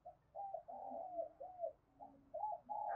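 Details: Spotted dove giving 'thúc bổi' coos meant to draw other doves into cooing: a continuous series of soft, mellow, arching coo notes with brief gaps, backed by low steady background noise.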